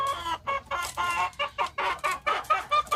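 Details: Chicken in a village, giving a run of short, harmonic clucks repeated roughly every quarter second, each note loud and slightly nasal, with a quiet low background hum.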